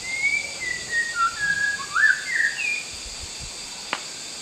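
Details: White-rumped shama in the wild, singing actively: a run of short clear whistles, mostly level, some rising or dropping, quickly following one another for about three seconds, then quiet with a single sharp tick.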